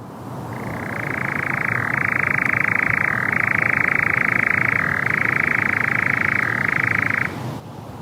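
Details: Around sunset, a European nightjar churrs from the tree directly overhead at a regular nightjar site, one unbroken rapid mechanical trill of about seven seconds, dipping briefly in pitch a few times before stopping abruptly; possibly the last one before migrating.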